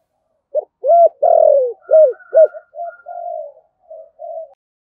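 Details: Spotted dove, 'thổ sấm' voice style, in rapid urging cooing (thúc gù): five strong arched coos, one longer and sliding down, followed by softer, flatter, trailing coos as the phrase fades.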